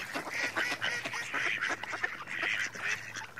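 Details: Mallard calls: a dense, continuous stream of nasal, overlapping quacks and harsh chatter from several ducks calling at once, with no pauses.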